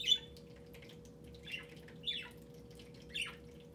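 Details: Pet budgerigar singing indoors while perched on top of a computer monitor, toward an inactive webcam: four short, scratchy, high chirps spaced about a second apart, over a steady electrical hum.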